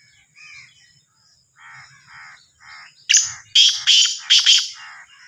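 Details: Softer banded calls from other birds lead in before a Sindhi kala teetar (Black francolin, Sahiwal teetar) bursts out with its loud rasping call: one harsh note, then two quick double notes, all grating and buzzy.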